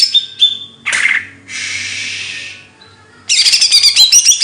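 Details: Bird song of short high whistles and chattering, a dry buzzy burst near the middle, then loud rapid twittering trills at the end.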